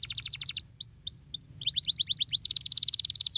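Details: Canary song used to stimulate lazy canaries into singing: rapid high trilled notes, then a series of slurred descending whistles, then steep rising chips, ending in a fast buzzy trill; faint low hum underneath.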